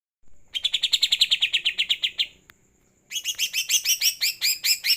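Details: Greater green leafbird singing lightly after a night bath: a fast run of about twenty even, sharp chips, a short pause, then a brighter, higher burst of rapid ringing notes.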